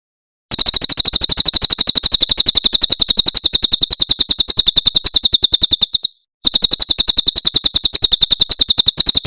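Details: Tutor recording of a Javan prinia's 'tembakan' Cililin song: after a brief hush, a long, dense rattle of high, sharp notes repeated quickly and steadily, one short break, then the same rapid chirping again.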